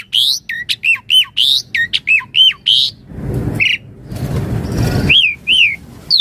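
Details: Javan pied starling in full, constant 'gacor' song with 'isian mompa' fill and varied phrasing, suited as a daily master song and starling lure: sharp rising and falling whistles in quick bursts, then a stretch of broad rustling noise before whistling resumes.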